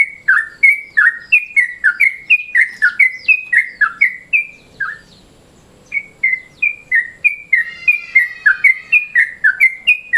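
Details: Sooty-headed bulbul (trucukan) giving its midday-mode call, used as a lure. Rapid runs of bubbly, slurred notes, a short pause near the middle, then the chatter resumes.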